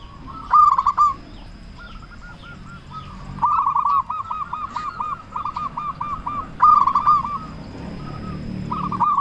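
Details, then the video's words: Loud-voiced local zebra dove cooing as a lure to stir other doves to reply; rapid bubbling coo phrases, one long run of even pulsed notes in the middle, louder bursts at the start and near the end, faint background chirps. "Perkutut Lokal Gacor Suara Besar Pancingan Burung Perkutut Bikin Langsung Nyaut"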